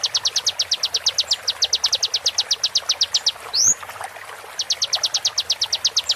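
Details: Tutoring recording of konin sharp shots, slowed for training songbirds: rapid rows of bright, high, even ticking strokes, then one sweeping rising whistle near the middle before the ticking resumes.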